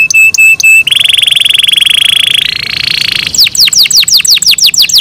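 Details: Morning song of a kept canary: quick high chips open into a long, even rolling trill that rises slightly in pitch, then breaks into rapid repeated downward-sweeping notes, loud and clear against a quiet background.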